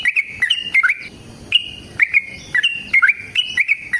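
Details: Yellow-vented bulbul giving a long fighting song meant to prompt other bulbuls to answer: short bursts of liquid, bubbling whistled notes that jump up and down, separated by brief gaps and crisp clicking sounds.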